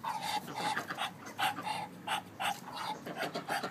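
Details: Breathy male Muscovy duck making soft, hoarse puffs like heavy breathing on a prank phone call, each huff short and paced irregularly, roughly two per second.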